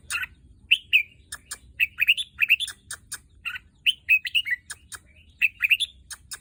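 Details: Caged Red-whiskered bulbul, aged a little over one year and father of albino and pied young, sings repeated clusters of clear warbled whistles, each phrase a quick run of up-and-down notes separated by brief pauses, with crisp ticking sounds between.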